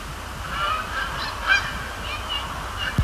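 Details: Quieter moment among night-time Canada geese at Sapsucker Woods Pond; scattered separate honks from several birds, one louder call at mid-point, ending with a low thump.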